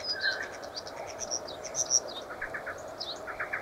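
Common starling giving a busy jumble of short whistles, clicks and squeaky notes, high and varied, over a steady background hum.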